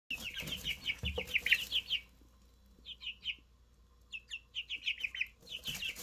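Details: Three newly hatched Easter Egger chicks, one blue-grey, one white and one yellow-brown, peep in rapid runs of high, downward-sliding notes for two seconds, fall quiet, then resume in shorter bursts.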